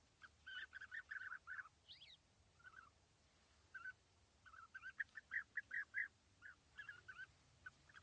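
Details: European bee-eaters perched together in small trees at East Leake Quarry on a very sunny morning in July 2017 utter short rolling trilled calls in irregular runs over a steady low hum.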